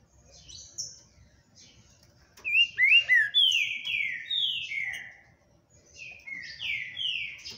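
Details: Green-winged saltator, praised as very spirited, gives a burst of strong whistled notes after a quiet start, a few sharp up-and-down slurs followed by long descending whistles, then a second shorter phrase after a pause.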